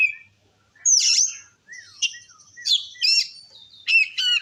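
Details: Singing Oriental magpie-robin, used as a lure to rouse rival males: loud buzzy bursts mixed with clear whistles, rising slurs and rapid harmonic chatter in separate phrases.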